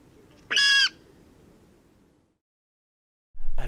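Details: Water rail, very close (perhaps 5 m) behind a bush at Domaine de Graveyron, Audenge, in spring: one loud, harsh, pig-like squeal, rich and nasal, under half a second, then quiet and a man's voice starting.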